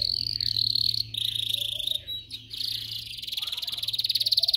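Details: A canary sings for training other canaries, giving sustained high rattling trills broken by short gaps and a brief whistle. A continuous low hum runs underneath.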